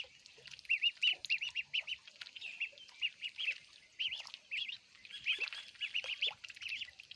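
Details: Baby ducks eating food, giving rapid high peeping calls in quick bursts of three to five notes, repeated almost continuously, with light clicks and rustling from feeding.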